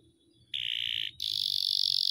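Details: Domestic canary in extended rolling song, recorded to tutor other cage birds: after a quiet start, a steady shrill trilled tone gives way to an even higher, continuous buzzing roll.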